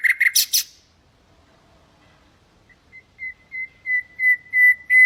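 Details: Nightingale song meant to teach goldfinches and canaries: a brief burst of harsh rattling notes, a pause, then a crescendo of pure whistles on a single pitch repeated about three times a second.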